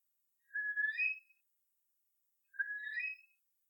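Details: A Eurasian curlew in Ireland gives two mellow, rising whistled notes about two seconds apart, each slurring upward, against a quiet background.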